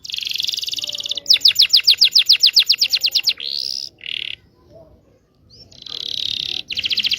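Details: Local Indonesian canary song for training young birds to sing: buzzy high trills, then a run of fast repeated sharp rising notes, a short burst and a pause before another rapid trill.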